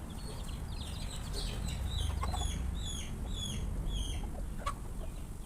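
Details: Many farm chickens startled by a noise while eating: high, thin peeping notes that slide downward, given in a quick irregular series of about a dozen, over a steady low rumble.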